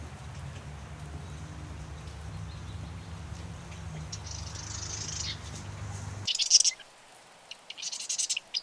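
Marsh wren giving high, dry, rattling bursts of song near the end, after several seconds of low rumbling hum and broad background noise.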